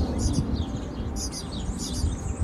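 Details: A European serin fledgling in a town park during the breeding season begs its parents for food with thin, very high, buzzy calls in three short bursts, over a steady low rumble of wind or handling noise.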